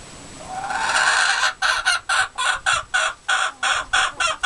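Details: White Leghorn chicken singing in a coop: a drawn-out, rising nasal note swells for over a second, then breaks into a rapid run of short, evenly spaced clucking pulses, about four per second.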